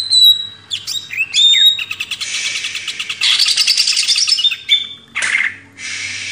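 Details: Cage-bird master recording of a greater green leafbird, mixing whistled slurs and sweeps with long dense buzzy chattering passages and short harsh bursts.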